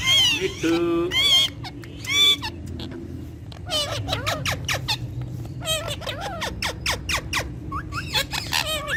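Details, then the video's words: Several ringneck parakeets that talk in Urdu and Hindi. Loud harmonic squawks open, then a rapid run of clicks and short rising chirps follows. Music plays faintly behind them. "Gorgeous Ringneck Talking Parrots With Their Melodious Voice In Urdu Hindi"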